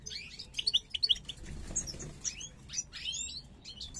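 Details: Captive pair of European goldfinches of the parva form, bred in 2022, coming into breeding condition; short high twittering chirps in a quick cluster, then scattered tweets and slurred notes, with faint low background rumble.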